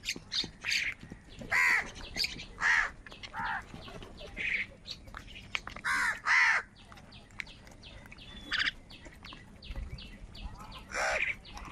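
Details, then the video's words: Several crows fighting for food give rasping caws in irregular bursts, loud calls alternating with quieter ones, over a steady hum of background activity. "কাকের ডাক Crow Sound Loudly"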